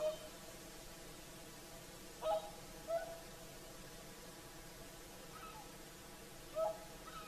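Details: Distant whooper swans at sunset on Lake Saimaa, Finland: three soft, brief trumpet notes spread over several seconds in a calm evening hush.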